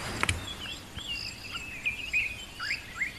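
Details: Morning chorus at Rietspruit Game Reserve, Lowveld, South Africa, in summer (7 February), including ring-necked dove, dark-capped bulbul, fiery-necked nightjar and a distant white-browed scrub robin: thin high whistles and warbling phrases, sharp clicks at start, soft hiss.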